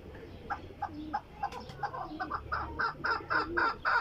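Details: Chukar calling: a run of short, hoarse clucking notes about four per second, growing louder and more emphatic toward the end, over low background rumble.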